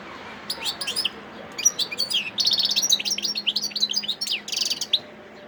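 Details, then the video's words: Wild European goldfinch singing in Sidi Bel Abbes, Algeria, recorded 17 December 2021: a quick, high, tinkling twitter of short chirps and trills that starts after half a second and runs almost to the end. "مقنين خلوي صوت ولا أروع"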